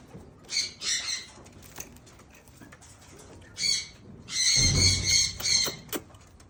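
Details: Blue eared pheasant eating green grass, giving paired rasping squawks, then a longer run of loud harsh calls overlapping a low thud.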